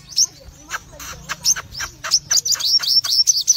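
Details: A red-eyed crimson sunbird sings actively in full bursts: a rapid string of very high, thin, sharp chirps and twitters, about two to three notes a second, with uneven spacing.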